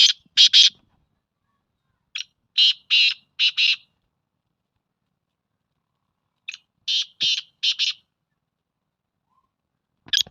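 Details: Four grating call phrases from a black francolin, spaced three to four seconds apart, each a faint introductory note then three or four loud, scratchy, buzzing syllables in a jerky cadence, otherwise quiet.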